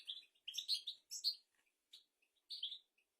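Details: European goldfinch song, described as royal and used as a tutor for goldfinches and canaries: short, high twittering bursts and chirps in uneven groups with brief pauses between phrases.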